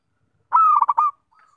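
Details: Perkutut, the zebra dove of local stock, gives a single melodious song phrase: a held low coo that breaks into three or four quick throbbing beats, then a faint trailing note.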